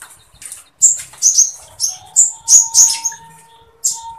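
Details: Caged sooty-headed bulbul in full song with woodpecker-style material: loud clipped high whistles delivered in separate bursts roughly every half second, with a faint steady low tone running underneath.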